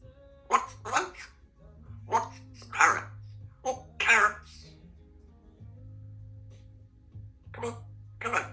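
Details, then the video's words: A female pet Congo African grey parrot in a home speaks in short, clipped word bursts about every second, with a faint steady music hum underneath. "African Grey Talking Parrot"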